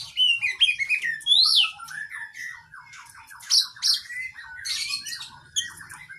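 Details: Oriental magpie-robin (kacer), caged, in a varied training song: squeaky rising whistles, a run of short descending repeated notes, and sharp high scratchy bursts.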